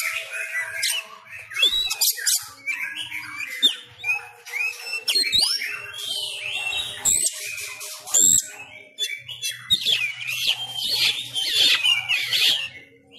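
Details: Oriental magpie-robin, Sumatran, singing in fighting style at home during pandemic restrictions: long varied stream of whistles, harsh chatter and slurred notes with intermittent loud clicks and a faint hum.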